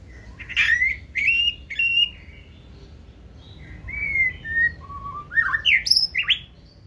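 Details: White-rumped shama, a 2024-season caged bird, singing in the 'forest voice' style: three loud, falling whistles, a softer mid-phrase, then notes that climb sharply to a high finish.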